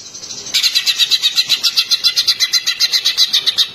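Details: Green leafbird song used to rouse a white-rumped shama into singing, a fast, steady run of high chipping notes, roughly four per second, continuing without pause after a brief quiet start.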